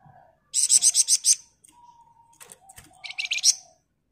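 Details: Flamboyan bird, recorded as a master for training other birds, giving a rapid string of six piercing high pulses, then quieter chips and a second shorter pulsed burst.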